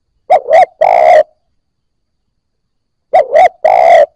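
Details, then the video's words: Spotted dove newly caught and now cooing, a recording for stimulating new captives: two identical phrases nearly three seconds apart, each two clipped hoots leading into a drawn, steady coo. "Cu gáy bổi mới nổi gáy / Tiếng cu gáy kích bổi nhanh nổi"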